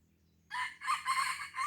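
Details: Red junglefowl in Blang Ulam, Krueng Raya, Aceh, giving a single harsh, broken crow lasting just over a second, split into several rasping segments after a moment of near silence, with a low steady hum beneath.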